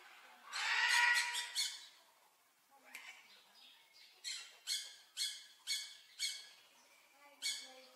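A Blue-naped Parrot gives a long, grating squawk, then a run of short, harsh, nasal screeches about twice a second, with a final screech after a pause.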